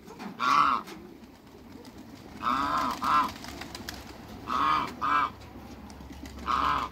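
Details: Toulouse geese, two males and a female, in a backyard, give loud, nasal honks in pairs, each pair following about two seconds after the last, over a low background hum.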